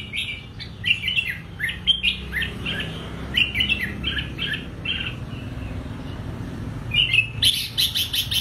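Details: Red-whiskered bulbul singing in the morning in the double-note style called old-forest double notes, being trained to sing. It gives quick bright chirped phrases, repeated and clustered, with a burst of rapid high notes near the end over steady background rumble.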